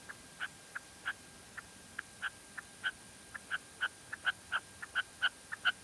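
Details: Female red-legged partridge calling in La Mancha: short, sharp notes at an uneven pace, roughly three per second and growing louder toward the end, over a quiet background.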